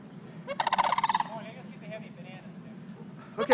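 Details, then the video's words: Squawking sandhill cranes in Longleaf, Trinity, Florida, early September: one rough, pulsed rattle lasting under a second, softer distant crane calls, then the start of another loud rattle, all over a low hum. "Sand Hill Cranes Squawking"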